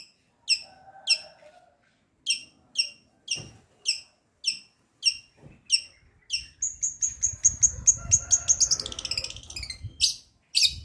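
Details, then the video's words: Cendet, the long-tailed shrike, opening with spaced single sharp falling chirps about every half second, then breaking into a dense, quick chatter of high trilled notes and rattles, with low rumbling noise behind. "CENDET MATERI GEREJA TARUNG GEREJA PETIR KUNTILANAK GETAR RESTU TENGKEK BUTO"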